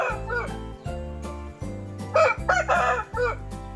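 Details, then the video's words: Siam Bangkok rooster with red wiring colouring, caged in a decorated coop, crowing in the morning: a short, loud, wavering harmonic crow in several rising and falling segments, over steady rhythmic background music. "Siam Bangkok Berkokok"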